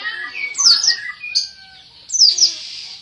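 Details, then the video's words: Greater green leafbird, a caged songbird, singing loud bursts of sharp high whistled and squeaky notes with rapid slurred trills, separated by short pauses, over a faint steady high hiss. "BURUNG MASTER CUCAK IJO GACOR"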